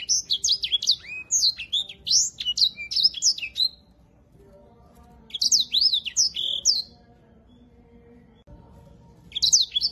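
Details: Grey singing finch, a cage bird kept in Indonesia as a master tutor for canaries, singing bursts of quick high whistled notes that swoop down and up, in three phrases separated by pauses, with faint low background hum.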